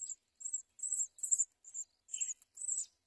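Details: House sparrow feeding chicks with caterpillars: bursts of very high, hissy chirping, about seven short runs spaced unevenly over three seconds, one lower buzzy note near the end; no other sounds.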